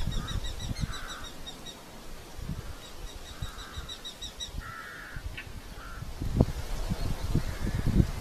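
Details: Red-footed falcon at a nest in Polgár, Hungary, during the breeding season, giving short bursts of rapid, shrill, nasal kew notes in two chattering runs, over steady wind rumble and occasional low thumps.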